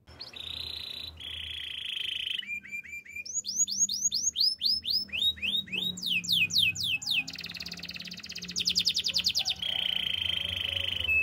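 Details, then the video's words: Canary singing practice: steady buzzy tones, then a long series of sweeping downward whistles at an even pace, a rolling high trill, and a closing sustained reedy note, with a faint low hum behind. "Canary singing practice! The best canary sounds"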